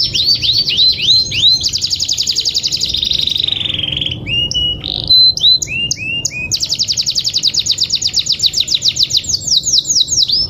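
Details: Canary song used to provoke other canaries into singing: rapid trilled phrases of repeated high notes, with a slower run of rising whistled syllables around the middle and a fast rattling trill at the end.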